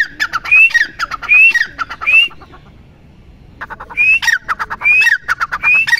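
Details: Teetar (grey francolin) call: three clicking phrases each ending in a rising whistle, a quiet gap of over a second, then three more phrases at the same pace.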